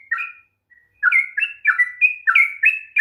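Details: Sooty-headed bulbul singing in the long 'ropel' style meant to stir a lazy bird to sing: one bubbly note, a brief gap, then rapid, rich, slurred whistled phrases.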